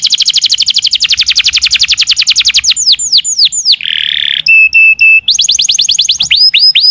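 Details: Canary in long-burst song: a rapid high trill slowing into separate sweeping notes, then a harsh buzzy rattle, short clipped whistles, and a return to quick trilling.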